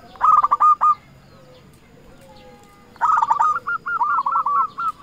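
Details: Zebra dove of local stock calling rivals as a lure bird; a fast burst of coos, a quiet pause, then another rapid burst settling into evenly paced, mellow cooing notes.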